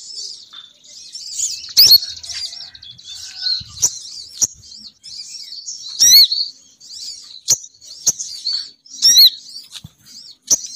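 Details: Female sogon bird call for luring males down. Steady high, squeaky twittering is broken by sharp, loud chips and short rising whistles at irregular intervals.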